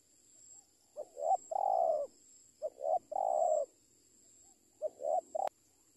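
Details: Spotted dove calling, three phrases of low, hoarse coos, each a short note followed by a longer drawn-out coo, about every two seconds, over a faint steady high insect hum.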